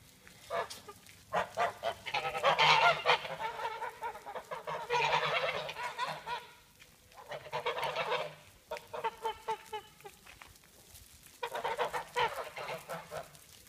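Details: Domestic geese in a farmyard honking loudly in overlapping bursts of harsh, nasal calls, several birds calling together in waves separated by short pauses.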